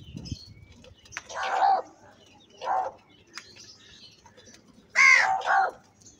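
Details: Crow calling loudly at feeding time, giving rough, grating caws: a long drawn caw, a shorter one a second later, then a quick double caw, with faint high chirps from other birds in quiet gaps.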